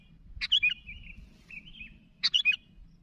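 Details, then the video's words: Sooty-headed bulbul calling to others: a bubbly chirp followed by a long soft wavering whistle, then another quick liquid burst. "Suara Burung Kutilang Gacor Memanggil Kawan"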